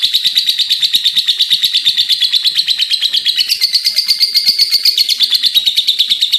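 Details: Lovebird in full voice giving a sustained ngekek, a steady, fast, shrill pulsed chatter with a slight rise in pitch midway.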